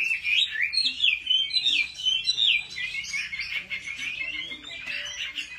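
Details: Chinese hwamei in competitive song, used to stimulate other males: a loud, rapid stream of rich, varied whistles and warbles, the phrases tumbling almost without pause.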